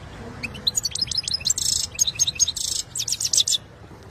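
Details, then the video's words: Caged European goldfinch of the saira type in song training, Quetta: rapid twittering phrases of high chirps and buzzy trills, notes packed closely for about three seconds. "Saira must watani full training singing goldfinch joker saira"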